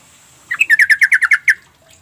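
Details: Sooty-headed bulbul calling, used to draw a reply from birds that stay mute; a single tight burst of roughly ten fast, bright chattering notes delivered in about one second.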